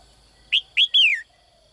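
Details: Single phrase from a caged female bird calling to attract a strong male: two brief upswept chirps, then a longer whistled note gliding downward, all within under a second, against quiet background with a faint steady high hum.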